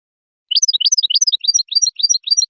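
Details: Goldfinch singing to tutor fledglings, a brisk rippling phrase of paired high notes, repeated rapidly and evenly for two seconds after a short silence.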